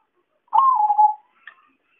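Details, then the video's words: Trapping lure of a zebra dove: a single rolling, pulsed coo lasting about three quarters of a second, starting with a short upward lift and sliding gently lower, followed by a faint higher chirp. "suara pancingan dan suara pikat perkutut paling ampuh"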